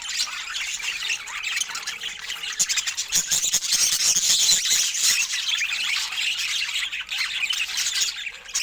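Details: Pet budgerigars sharing fruit, keeping up a continuous dense warbling chatter of overlapping chirps, squeaks and scratchy notes from several birds, with no pauses throughout.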